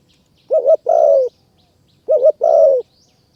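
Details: Spotted dove in Kanchanaburi forest, Thailand, calling during decoy trapping. It gives two deep coo phrases about 1.5 seconds apart, each a quick stuttered double note and then a sustained, slightly descending coo.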